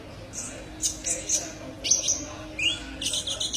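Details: Kolibri ninja sunbird in a tutor recording for training songbirds: sharp high chirps and short bright notes, some with a scratchy buzzy edge, scattered irregularly over a quiet hiss.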